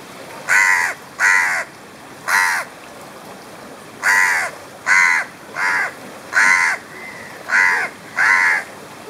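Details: Noisy black crow at Vilamendhoo in the Maldives giving nine loud, harsh, nasal caws, spaced about one second apart, with a quiet background between calls.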